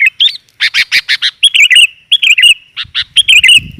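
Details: Sooty-headed bulbul female, used to draw in males: loud bubbly chattered notes and slurred dipping whistles in quick groups, with a faint low rumble near the end.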